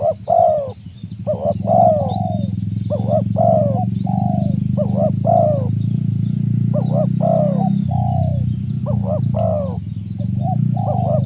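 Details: Spotted dove cooing, its voice used to lure wild doves, described as a 'mersik' voice. Soft hollow coos come in phrases of two quick bowed notes and a longer drawn, falling coo, repeated steadily over a constant low hum.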